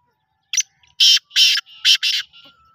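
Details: Black francolin call phrase: short sharp opening note, then four loud harsh grating notes in two pairs, followed by a fainter buzzy trailing note. A thin steady whine is audible late on.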